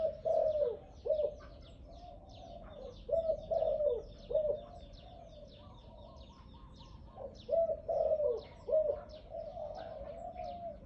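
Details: Loud-voiced captive dove, kept for sale, giving bursts of quick, rolling coos in short clusters of two or three phrases, with quieter gaps between the clusters and faint chirps above.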